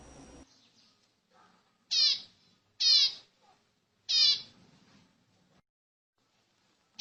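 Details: Zebra finch calls used to stimulate other birds, three loud, separate nasal beeping notes with strong harmonics and a falling tone, about a second apart, plus faint softer notes in between.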